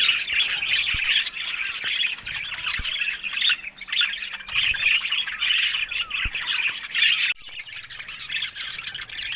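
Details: Budgerigars keep up a constant twittering warble with harsh squawks, then the sound cuts abruptly and resumes more softly.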